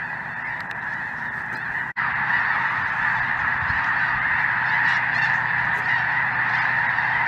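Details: Loud chorus of geese overhead in southern Indiana on a cold January afternoon, a few Snow Geese with Greater White-fronted Geese and possibly Ross's; dense, steady honking, briefly cut off near two seconds, then resuming at full strength.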